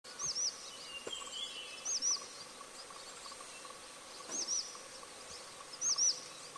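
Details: Grey-chinned minivet recorded at Tengzhi Erjituan, Taiwan, on 3 March 2023: four high, thin, whistled double notes, each rising then dipping, spaced about two seconds apart over a steady background hum.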